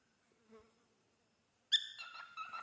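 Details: Tame pet male cockatiel singing: a bright, harmonic whistled phrase that steps down in pitch, after a soft low note and a brief silence.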